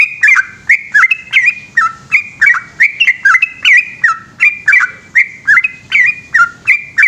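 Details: Yellow-vented bulbul singing at night in the lively, long continuous 'gacor ropel panjang' style: rapid strings of bright whistled notes with sharp slurred drops, repeated about every half second over a faint low hum.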